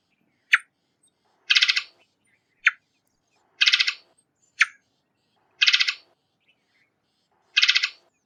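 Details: Varied thrush calls in a steady alternation: a clipped, bright chip followed by a coarse, buzzy, stuttering rasp, the pair repeating about every second over eight seconds.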